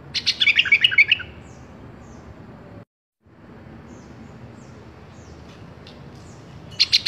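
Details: Sooty-headed bulbul song meant for training caged birds: a quick run of bubbly, chirping whistled notes opening the recording, a long quiet gap with faint background hiss, then a short chirpy burst at the close.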